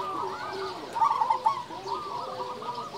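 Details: Local zebra dove with a loud voice, singing freely: overlapping series of short cooing notes in rapid trills, with a fainter, lower cooing phrase underneath and a steady background hiss.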